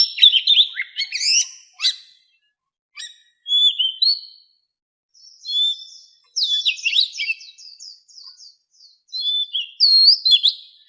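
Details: Captive white-rumped shama sung for voice training in the pure 'wild voice' style: varied phrases of sharp whistles, rising and falling slurs and rapid twittering trills, broken by short pauses.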